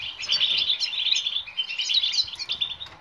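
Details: European goldfinch song used to prompt silent goldfinches to sing: a loud, unbroken, rapid twittering warble of bright, tinkling notes.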